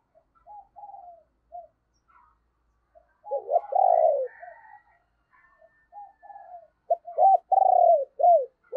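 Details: Decoy spotted dove in the deep 'thunder voice' style, used to lure wild birds: soft scattered coos build to a loud burry rolling phrase, pause, then the loud throaty coo sequence repeats, with no background noise.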